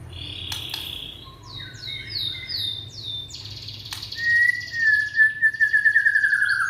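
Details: Young Indonesian white-rumped shama used to draw song from silent shamas: varied high whistled slurs, a few sharp clicks, then a long, slightly wavering whistle that pulses rapidly toward the end.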